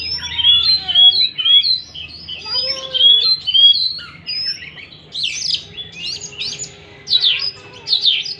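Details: Oriental magpie-robin singing to prompt a stressed, silent bird into song: a rich medley of whistled slurs, then harsher buzzy, scratchy bursts.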